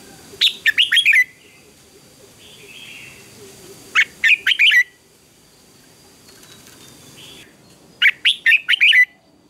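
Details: Red-whiskered bulbul in a morning singing contest, trained for fiery duelling song: three bright phrases of four or five rapid whistled notes, spaced about four seconds apart, with softer distant warbles between them.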